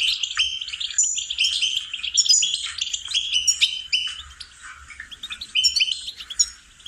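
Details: Goldfinch song used for training songbirds: fast, dense twittering with rapid tinkling notes, short trills and sweet whistled phrases packed together, some buzzy elements, continuous chatter with brief pauses near the end.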